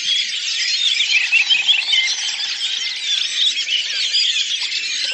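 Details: Redwing flock (Turdus iliacus) singing collectively at Lipovaya Gora, Oka Nature Reserve, Russia, in April 2019: a dense, unbroken babble of overlapping high twitters, chirps and squeaky notes from many birds at once.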